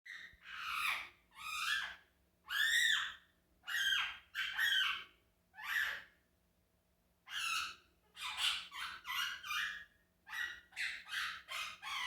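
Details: Quaker parrot calling indoors: harsh, raspy squawks with buzzy layered tones, given in bursts about once a second, some bending up or down, then a quicker run of short squawks near the end; a faint steady hum underneath.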